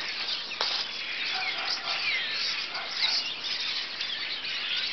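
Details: A large flock of birds perched on a telephone pole and wires, calling loudly and continuously: a dense overlapping wash of high chirps and squeaks with no pauses.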